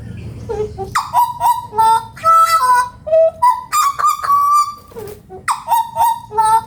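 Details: Hooded butcherbird, endemic to Papua, singing a run of nasal, richly toned notes in mid pitch. Short hoots alternate with longer held tones and rising slurs, delivered in uneven bursts against a low background rumble.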